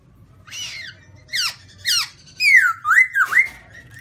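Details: Black-throated laughingthrush with white cheeks singing: a series of loud, slurred whistled notes, several sweeping downward, then a run of rich, wavering whistles in the second half; quiet room hum beneath.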